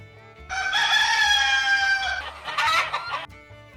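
A rooster gives one loud, drawn-out crow lasting about two seconds, ending in a rougher, broken final phrase; faint background music underneath.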